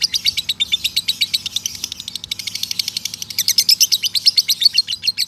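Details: Male lovebird giving a long ngekek trill used as a training recording for other lovebirds: a dense, rapid, high chattering trill of sharp repeated notes, about three per second in the louder bursts, running almost without pause.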